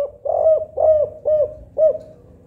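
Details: Spotted dove in the kuk 4 pattern, played to lure silent doves into calling: four low, mellow coos spaced about half a second apart over a faint background hum.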